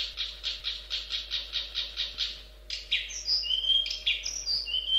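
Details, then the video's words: Long-tailed shrike song: a run of about eleven evenly repeated harsh, buzzy notes, then a brief pause and a varied stretch of squeaky whistles and slurred, rising chirps mixed with scratchy notes. "Kicau Burung Cendet Pentet Spesial Chirping Jos Gacor"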